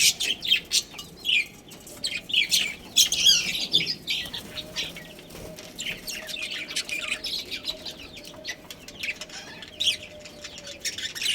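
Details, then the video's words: Budgerigar colony with a breeding pair: softer, scattered high chirps and warbling chatter with wing flutters, plus a faint steady hum in the background. "Cute Budgies Chirping Sounds"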